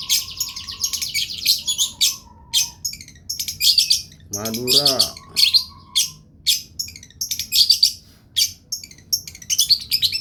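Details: Long, vigorous long-tailed shrike masteran song: high, scratchy chirp bursts repeated roughly every half second, interrupted midway by a lower nasal, wavering note, with a faint steady whistle early on.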